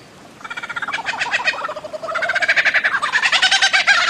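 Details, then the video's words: Bird-of-paradise calling in a rapid run of harsh, nasal pulsed notes, about three or four per second. The run starts quietly, dips, then swells again and grows louder and richer toward the end. "Bird of Paradise Calling Sound"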